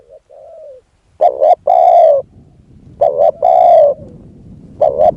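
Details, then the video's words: Spotted dove used as a decoy to lure a wild dove. A soft, low coo opens, then two loud hoarse phrases follow about two seconds apart. Each is a stuttered double note and a long drawn coo, and a third phrase starts at the end. "ต่อนกเขาใหญ่ พลาดเฉลยเสียงดีครับคารมสุดยอดครับ"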